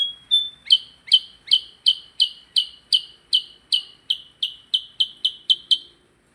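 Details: Percang bird singing vigorously: a fast, steady series of sharp, bright downslurred chirps, about two to three per second, after an opening high whistle; clean background with no other sounds.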